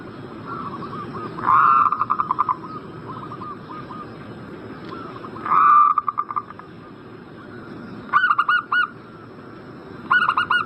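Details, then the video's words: Zebra dove (perkutut) call meant to prompt a bird in breeding condition to answer: a long gliding coo followed by a rapid train of soft pulsed notes near one pitch, repeated twice, then short stuttering coo bursts, with a steady background hiss. "Pancingan burung perkutut Agar Cepat Nyaut gacor Juaranya pancing birahi langsung nyaut emosi"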